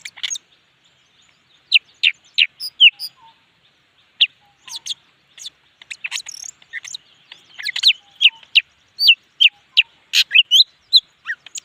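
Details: Leafbird singing with great intensity: scattered sharp chirps and rising or falling whistled notes, sparse at first and then building into a quick, irregular run of loud, varied notes, with a faint high hiss behind.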